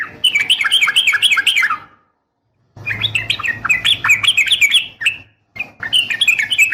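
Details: Yellow-vented bulbul, a female calling to a male, delivers long bubbling phrases of quick rising-and-falling warbled notes in three runs with short breaks, and a faint low hum underneath.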